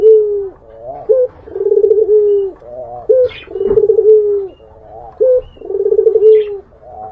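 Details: A Barbary dove coos steadily to entice a rival. Three low rolling phrases, each a short upturned note followed by a long trilled coo, arrive roughly every two seconds, with a faint click between them.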